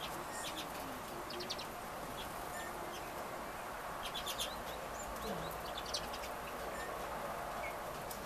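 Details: Redpolls that arrived for the winter, lively and bold small birds, give bursts of short dry chattering notes and a few rising whistled calls, scattered in quick clusters over a steady broad hiss of background noise.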